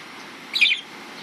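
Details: A hand-raised, wing-clipped pet budgerigar chewing in a guava tree gives a single quick, scratchy chirp over a faint steady hiss.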